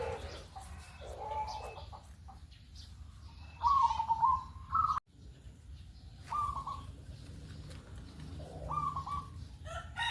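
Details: Local zebra dove calling in the morning, recorded as a lure to get other birds to join in; several separate fast, rattling trilled coos spread over the clip, loud then softer, with faint chirps and low hum.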